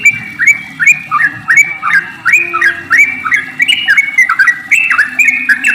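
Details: Yellow-vented bulbul delivering a lively, continuous series of liquid, up-and-down whistled phrases, clear and loud, used to make other bulbuls start singing.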